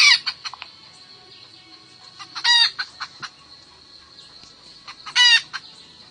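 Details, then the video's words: Highland wild chicken hen calling a rooster, giving two strained, harsh squawks roughly three seconds apart. Short soft clucks fall between them, and a continuous shrill insect drone runs underneath. "Tiếng gà mái keo gọi trống"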